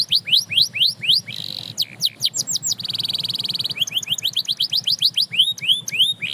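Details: Canary song inspiring other birds to sing: rising whistled notes, a buzzy roll, a sustained rattling trill, then more upswept whistles repeated rapidly in varied tours.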